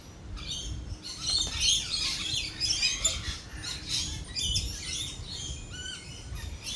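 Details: A flock of lorikeets at a cafe amid thunder and lightning, keeping up dense, continuous high screeching and chattering with many overlapping calls and short rising notes, against low background rumble.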